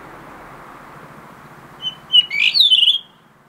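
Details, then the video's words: Late-afternoon blue rock thrush song over a background hiss: two short whistled notes, then a rich sweeping warble closing in rapid trills. "イソヒヨドリ 夕方のさえずり"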